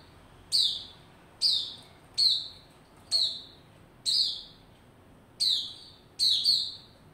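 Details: White-rumped shama kept in a cage, singing as it builds form on 27 December 2021; seven clear whistled phrases, roughly one a second, each a sharp high flick followed by a held ringing note.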